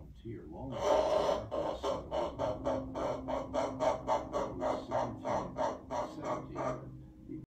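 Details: Amazon parrot giving a scary-sounding vocalisation: a low, pulsed, growling rasp repeated about three to four times a second for several seconds, rising harshly at the start and then fading.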